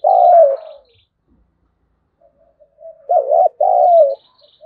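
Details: Spotted dove lure bird provoking wild birds to fight: a long falling coo, a pause with faint short notes, then a loud dipped coo and a longer descending one.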